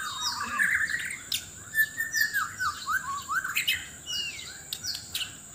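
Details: White-rumped shama of Sabah in a loud mate-seeking singing contest: a series of rising and falling whistled slurs repeated roughly twice a second, with sharp clicks and a faint steady high tone.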